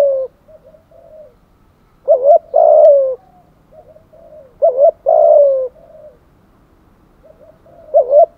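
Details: Spotted dove cooing for luring: soft quiet notes lead into a louder wavering double note and long falling coo, the phrase repeated about every three seconds.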